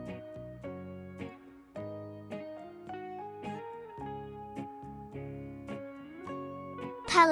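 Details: Plucked guitar music with a spoken voice and a brief bright flourish at the end; no animal calls are heard.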